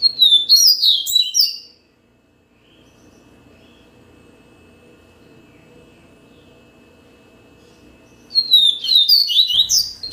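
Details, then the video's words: Yellow-bellied seedeater singing two bursts of bright, rapid twittering song with sharp, high descending notes, one at the start and one near the end, separated by about six seconds of near silence with faint low background hum. "Yellow-bellied seedeater song"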